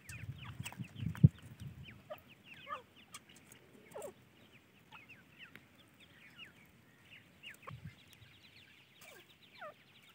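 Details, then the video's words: Young francolin chicks calling with scattered high, descending peeping notes in quick runs, fairly soft, over a low rumbling background with an occasional thump. "teetar ke bacche | teatar chicks | francoline baby"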